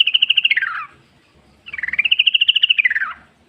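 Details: Yellow-vented bulbul in the forest singing vigorously, used as a lure: two fast bubbling pulsed phrases, the second longer, each level at first and then sliding down.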